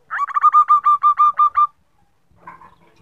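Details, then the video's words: A female zebra dove (perkutut) gives a quick rolling run of about nine soft purring coos in under two seconds, then one faint brief coo; the recording is used as a lure to make male doves sing. "perkutut betina untuk pancingan"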